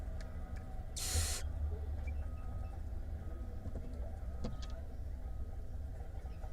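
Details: Nest box in Israel with barn owl nestlings, 5 May 2021, oldest 37 days old, one feeding; one short rasping hiss near the start, then only a constant low rumble with occasional soft ticks and knocks.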